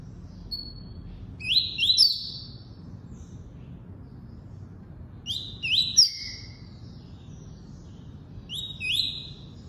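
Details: Double-collared seedeater singing the tuí-tuí song: short bursts of two or three upslurred high whistles, repeated roughly every two to three seconds, with one lower slurred note among them, against a quiet low hum.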